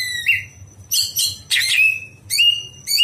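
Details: Greater green leafbird at night, recorded for training other birds: rich, harsh whistled notes with a squawking quality, given in separate bursts roughly every half second, some rising and some sliding level.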